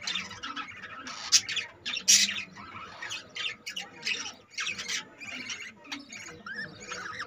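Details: Chattering budgerigar colony with newly hatched young, overlapping scratchy squawks and short chirps in irregular bursts, a few sharper high notes standing out over the continuous flock noise.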